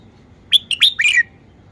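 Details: Single song phrase of a caged red-whiskered bulbul displaying its song style, four bright whistled notes tumbling into a rolling warble.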